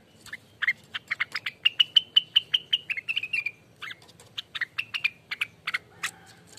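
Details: Rengganis ropelan song used to lure and tutor birds: an uneven stream of high chirps, quicker bursts alternating with looser notes, moderately loud over a faint hiss.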